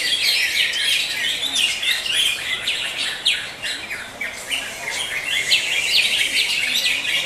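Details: Greater green leafbirds at a songbird contest, session five, hanging post 18, pour out a dense, nonstop stream of high chirps, trills and sharp whistled notes, several birds overlapping at once in a busy chorus.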